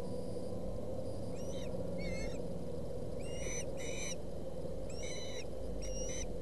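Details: Nestling ospreys in Boulder County contest a fish on 20 August 2017. Short bursts of piercing whistled chirps, each cluster a half-second long, repeated about once a second with gaps, over a low rumbling background.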